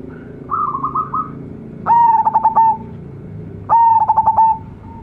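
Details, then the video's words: Local zebra dove with a big, luxurious voice: a soft rolling trill, then two loud coo phrases of quick stuttered pulses easing into a drawn-out note, about two seconds apart. "PERKUTUT LOKAL GACOR SUARA BESAR-MEWAH"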